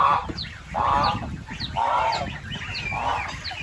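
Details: Goose giving four broad, nasal honks about one a second, while thin, rising chirps of other birds sound between them.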